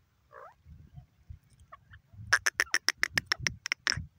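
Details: Francolin calling: after soft low rustling, a fast burst of about a dozen harsh, clicking, broadband notes, evenly repeated at roughly three per second, with a brief squeaky note near the start.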